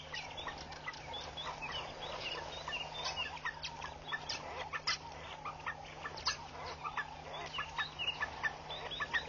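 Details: Hundreds of red-billed queleas fluttering around a bush at Pete's Pond, Mashatu Game Reserve, Botswana, 9 August 2013, keep up a constant, overlapping chatter of short, sharp chirps, with a faint low hum underneath.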